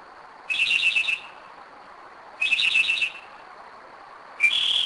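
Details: Night song of a Northern mockingbird at 2am in Kennesaw, Georgia: three clear phrases of quick repeated whistled notes, the last a rising, more sustained note, with quiet gaps between phrases and no other sounds.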